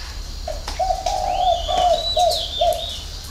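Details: Low, hollow cooing from a spotted dove, six-note coo style called 'hậu 3'. One short note, then a smooth chain of mellow hoots trailing into two brief ones. Thin high bird calls are heard behind.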